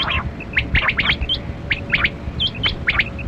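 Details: Kali kirak batera quail, recorded while being hunted, gives repeated sharp double and triple chirps mixed with squeakier higher notes, over a continuous low background hum.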